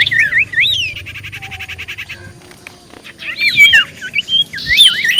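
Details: Common iora singing to provoke replies: a whistled phrase into a long dry rattling trill, a quiet spell, then a lively burst of twisting whistles.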